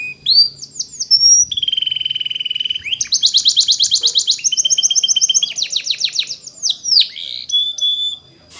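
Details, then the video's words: Canary delivering a varied Timbrado-style training song, moving from quick chips to a level whistled note, then to buzzy rapid rolls and pulsed series that end in a thin high whistle. "It's Impossible If Your Canary Doesn't Sound !! The Canary's Voice Called"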